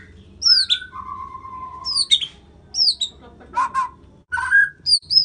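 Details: White-rumped shama, Medan, Indonesia: high slurred whistles and a long low level whistle, then a brief harsh rasping burst, followed by rich mid-pitched warbles and more sharp high notes.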